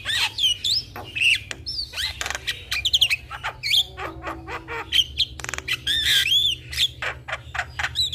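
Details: Javan myna song used to entice a silent starling to sing: a continuous medley of harsh squawks, clicks and bright rising and falling whistles, closely packed.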